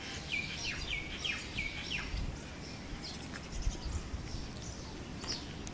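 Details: Male house sparrow perched on a mango tree giving a run of short, sharp chirps, about four in the first two seconds, then scattered fainter chirps, over a steady low rumble of background noise.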